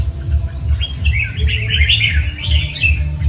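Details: Red-whiskered bulbul, known locally as chào mào cọp, giving a single continuous burst of bright, jumbled whistled notes over a steady, rhythmic low thumping beat.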